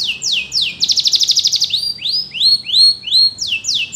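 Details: Canary singing as training song material: a few quick downward-sweeping notes, then a fast rolling trill about a second long, followed by a series of high rising upslurred whistles, and falling sweeps again at the end.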